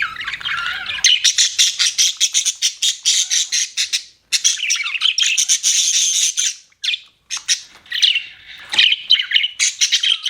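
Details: Budgerigar chatter: a long run of fast, buzzy, rapidly pulsed chirps and squawks, with a couple of brief pauses and a lower scratchy start.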